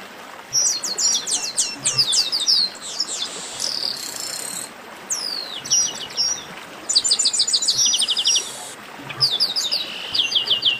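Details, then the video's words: Rowdy gathering of chestnut-capped blackbirds giving dense bursts of thin, high chirps, buzzy rattling notes and quick falling whistles, with brief pauses separating the clusters of overlapping voices. "Baderna de Garibaldi"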